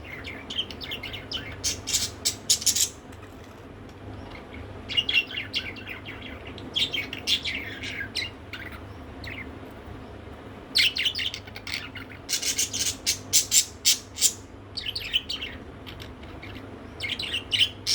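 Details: A talkative female pet budgerigar chatters in quick bursts of high, scratchy chirps and warbles, with short pauses between runs.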